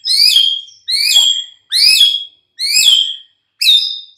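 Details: White-rumped shama mid-morning lure: five identical sharp downslurred whistled notes, evenly repeated just under once a second.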